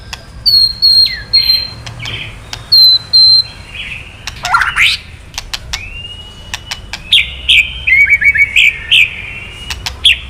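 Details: White-rumped shama kretekan, used to provoke males into answering: high thin whistles with downward slurs, a harsh rasping burst, then a quick sequence of varied chirps and twittering notes.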